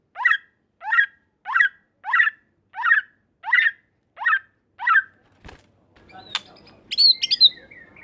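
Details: White-rumped shama song for stirring rival shamas to answer: eight harsh, rasping notes repeated about every 0.6 seconds, then a click, faint background noise and a few high sharp whistles.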